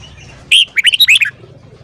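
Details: Red-whiskered bulbul singing in the morning: one short, bright phrase of a sharp opening note followed by a quick run of five or six whistled, chirping notes, then quiet with a low background hum.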